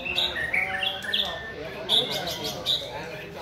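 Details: White-rumped shama song of short, bright whistled notes and quick rising and falling slurs, spaced irregularly and mixed with softer chatter, against a noisy background.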